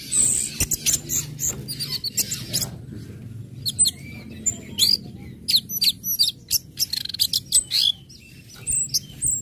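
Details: Orange-headed thrush song in ngecip, ngecit and ngeplong styles, used to stir other birds into breeding mood and singing along: rapid high chirps and sharp twittering notes in quick irregular bursts, with a low background hum.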